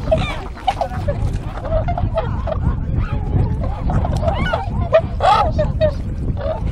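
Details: Wintering flock of tundra swans on a glittering river at a regular arrival site in Kawajima, Saitama, Japan, 4 February 2017: overlapping nasal, honking calls at irregular intervals over heavy low rushing background noise.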